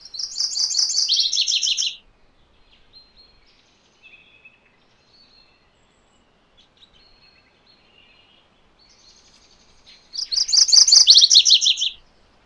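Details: MacGillivray's warbler (Geothlypis tolmiei) gives two loud, buzzy-chipped songs about ten seconds apart, each a rapid run of high notes dropping into a lower, rolling ending; faint calls between.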